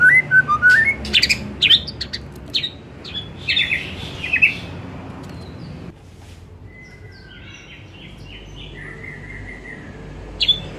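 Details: White-rumped shama singing in the afternoon to prompt other shamas: rising whistles and sharp notes for several seconds, then a quiet stretch and faint buzzy trills.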